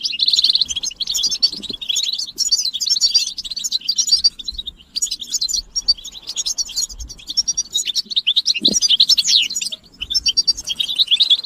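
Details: European goldfinches chattering together as a stimulation track for silent males. Over eleven seconds, a fast, liquid mix of high twitters and tinkling notes flows with short lulls, plus a few soft low knocks.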